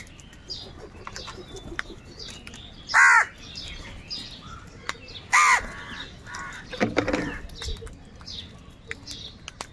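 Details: Many crows gathered and fighting over food, with two loud harsh caws standing out and fainter cawing and chatter from other birds behind.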